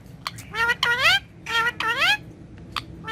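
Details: Pet green rose-ringed parakeet talking at a mirror, chattering in short, nasal, speech-like phrases that swoop up and down in pitch, four bursts in three seconds, with faint clicks between.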